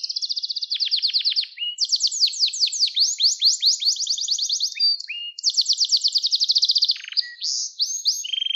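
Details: Gloster canary singing, a recording meant for training young canaries and stirring them into song: long continuous high trills and rolling repeated notes, several rapid tours changing pitch, brief short whistles between; no background noise.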